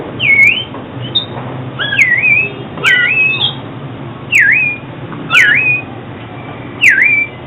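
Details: Oriental magpie-robin song, used for luring birds into traps and for song practice. Loud, clean V-shaped whistles dip and rise again, repeated about once every second or so, with a few softer overtone-like notes.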